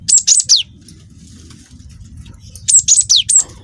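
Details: Wingko-type juvenile cinereous tit used as a lure to get other birds singing: two bursts of four high, rapid whistled notes with falling sweeps, separated by about two seconds of low-level hum.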